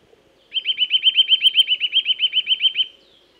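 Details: Eurasian nuthatch in woods singing a steady trill of about eighteen loud, clear whistled notes, each with a rising-falling shape, lasting over two seconds in a quiet setting.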